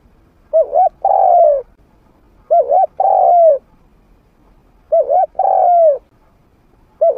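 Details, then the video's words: Cooing of a trained spotted dove, medium voice, used as a decoy to lure wild doves to fight. Three regular phrases roughly every two and a half seconds, each a quick double note and then a long falling coo. "เสียงนกฝึก นกเขาใหญ่เสียงกลาง เปิดต่อนกป่ากล้าเข้าสู้ไม่ตื่น"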